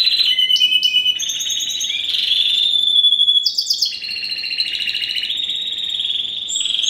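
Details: Spanish Timbrado × wild-type canary, first generation of 2015 breeding: varied trills, a clear sustained whistled tone, then a jump to higher rolling trills and steady rolls.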